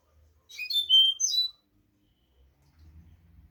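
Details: European goldfinch delivering a single tinkling twittered phrase with a clear whistled slide, sung to teach young goldfinches, followed by low room hum.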